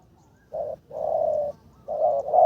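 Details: Spotted dove decoy under training uses the karom calling style, a string of steady, low, hollow coos: a short note, a longer drawn-out one, then two more rising into the next phrase.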